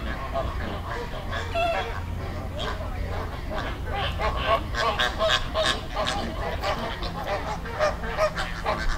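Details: Wild flamingos gathered as a flock in a Dominican Republic river: a continuous chorus of goose-like honking calls, many birds at once, over low background rumble.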